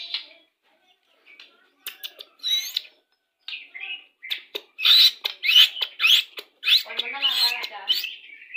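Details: Pastol-type white-rumped shama song meant to bring birds into breeding condition when pairing; scattered short chips at first, building into loud, rapid bursts of clicks and rising whistles.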